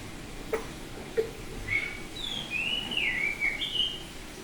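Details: Oriental magpie-robin of the Bali type, semi-tame, singing ngeplong: two soft clicks, then a string of clear whistles rising and dipping in a flowing phrase.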